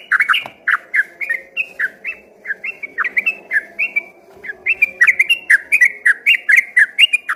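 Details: Ropel-style song of an active yellow-vented bulbul, first taken from a distance for a straw-headed bulbul: a steady stream of short, liquid, gurgling whistles that dip and rise, with a brief pause midway, over a low background drone.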